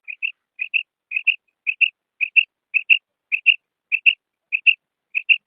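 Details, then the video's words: Lure call of a female common quail for hunting in ripe wheat: crisp double whistled notes repeated about every half second, roughly ten pairs, clean and unbroken against silence. "Female Batair Sound / پکی ہوئی گندم کے شکار کےلیے بٹیر کی کرک"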